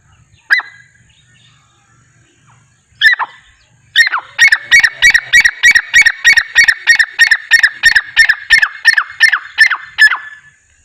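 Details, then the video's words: Francolin (teetar) calling, one of nine birds calling together naturally: two separate harsh notes, then a loud rapid run of about twenty sharp, evenly repeated grating notes lasting some six seconds. "9 Francolin Calling Sound | Non Stop Teetar Boli"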